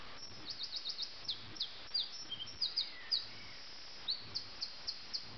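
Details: Nightingale singing in Sussex at 4 a.m. on 30 June 2010: faint, distant phrases of thin high notes repeated in quick clusters, with a few lower slurred whistles, over steady background hiss.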